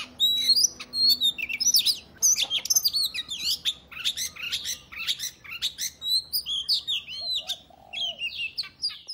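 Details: Oriental magpie-robin giving a dense fighting song to challenge other males into tail-opening display; a rapid run of sharp, varied notes, harsh chattering bursts and piercing whistles, over a faint low hum early on.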